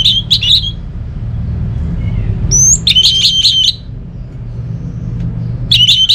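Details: Orange-headed thrush singing, played to coax quiet birds at home into song: clusters of sharp, high chirping notes in quick bursts, a rising slurred whistle, then more chirp clusters, with a low rumbling hum beneath.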